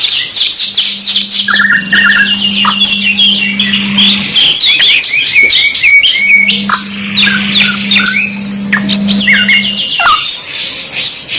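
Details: Canary song, masteran 2-in-1 style, full of fast rattling trills, bright whistles and short downward slurs overlapping continuously, a steady low hum present for long stretches.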